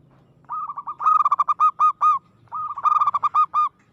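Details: Local zebra dove, described as aggressive and in strong form, singing: two phrases of rapid repeated cooing notes, each opening with a short trill and ending in several louder, well-spaced coos.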